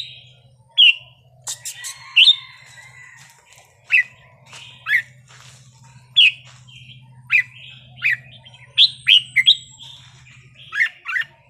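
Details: Red-whiskered bulbul delivering a long 'wild song' sequence meant to stir other bulbuls: loud bright whistled notes and short slurred phrases repeated roughly every second, with brief clicks and a constant low hum.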